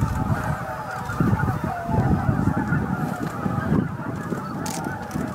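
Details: Greater white-fronted geese, an estimated 15,000 birds, flying into their evening roost at Miyajimanuma marsh in Bibai, Hokkaido, Japan, on 11 April 2016 between 18:00 and 18:30; dense overlapping honking and cackling with low wind rumble.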